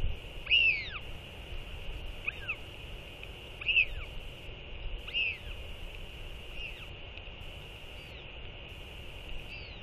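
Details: A northern royal albatross pair calls to one another with skycalls following a chick feeding. Roughly six arched harmonic calls, louder at first and fading later, under a steady background hiss and light wind.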